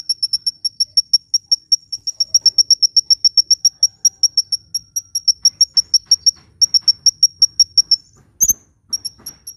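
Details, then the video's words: Sunbird calling steadily, used to lure birds and prompt lazy birds to sing: a long run of thin, evenly spaced high ticking notes, several per second, with brief pauses and one sharp note near the end. "SUARA BURUNG KOLIBRI GACOR‼️ [bisa buat pikat & yg males bunyi"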